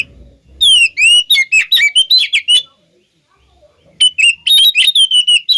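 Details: Oriental magpie-robin song used as a lure to make other magpie-robins answer: loud, varied whistled phrases with sweeping slurs and sharp chips, a brief pause near three seconds, then renewed rapid whistles.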